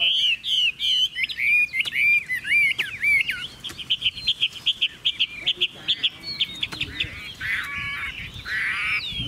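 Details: Chinese hwamei kept by a Vietnamese dealer, singing loud, varied whistled phrases at first, then a rapid series of short repeated notes and rolling trills, with sharp slurred syllables closing the passage.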